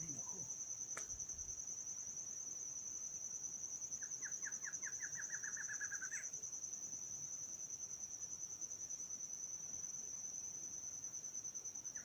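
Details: Barred antshrike (Thamnophilus doliatus), noted as a new southernmost record for the species, gives a quick, accelerating run of about a dozen nasal notes ending in a higher emphatic note, over a steady high insect trill.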